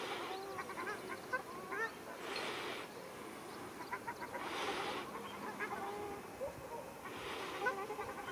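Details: Fighting ruddy shelducks recorded at Arucas, Gran Canaria, on 13 February 2021: loud honking calls with rapid stacked notes, interrupted by bursts of noise from the scuffle.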